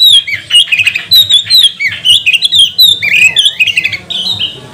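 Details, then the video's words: Provoking song of a magpie-robin for stirring other birds: a fast stream of clear whistles, upslurred and downslurred notes, mostly steady and loud, with a low hum beneath. "Kacer mana yang gak mau gacor, buka ekor, bongkar emosi dengan pancingan kacer ini"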